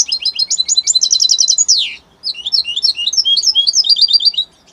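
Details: An Italian European goldfinch sings rapid repeated twittering phrases ending in a harsh downward buzz, then after a brief gap delivers a run of varied, bouncy chirps at high pitch.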